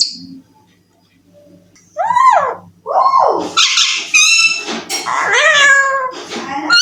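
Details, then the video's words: Baby Alexandrine parakeet kept as a talking pet indoors, taught to say "I love you": after a quiet start, arching nasal calls, then a run of harsh, rich, high squawks and chattering phrases over a low hum. "Talking Parrot I love you || I love you bolne wala parrot"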